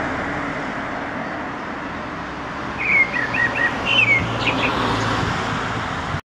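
Black Thrush giving a short run of clear, fluty whistled notes lasting about a second and a half, over a steady roar of traffic.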